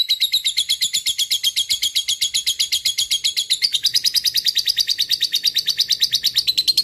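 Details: Lovebird in fighting mood pouring out a long ngekek: continuous fast harsh chatter notes, about six per second, evenly paced, with a slight pitch rise midway.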